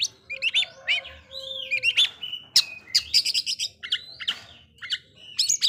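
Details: Provoking song of an Oriental magpie-robin, mixing slurred whistled notes, a long level whistle and fast sharp chirps, with a faint low hum beneath.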